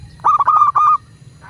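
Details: Local Indonesian zebra dove used as a master recording to prompt caged doves to sing: one quick burst of about five clipped, even cooing notes run together, with a low hum underneath.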